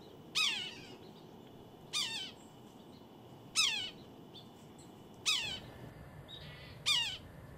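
Red-breasted sapsucker giving five harsh, nasal, descending mewing squeals, one roughly every one and a half seconds, over a faint steady high hum and soft background twittering.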